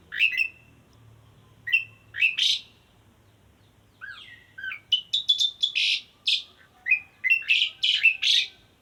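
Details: A male Asian pied starling calls to a female, mixing short whistled notes with harsh, scratchy chatters. The phrases come in scattered bursts, with a quiet gap midway and a denser run near the end.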